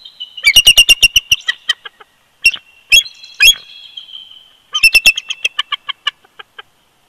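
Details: Winter duet of a bald eagle pair on their old nest snag, Big Bear Lake, California, 22 February 2020, live camera: loud rapid piping chatters in three bouts, each a quick run of high notes slowing toward the end, with shrill squeals between.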